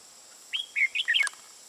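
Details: Red-whiskered bulbul singing in the "ché" style during trapping with a decoy bird, recorded 21 June 2018; one short warbled phrase of about five quick, bright slurred notes, then a steady high background hiss.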